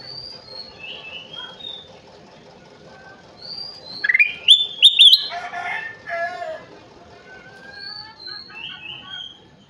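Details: Kutilang emas (golden bulbul) in full song: one loud burst of rising, slurred whistles mid-clip, with faint higher chirps from other birds before and after.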